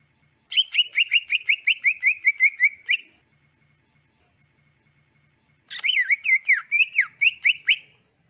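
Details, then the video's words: Greater green leafbird (cucak ijo), clean recording used to tutor other leafbirds: two bursts of rapid, regularly repeated chattering whistles, each lasting about two and a half seconds, separated by a long pause. "SUARA CUCAK IJO ASLI JERNIH CUCAK IJO KAMU LANGSUNG NYAUT DAN NGETROK GACOR"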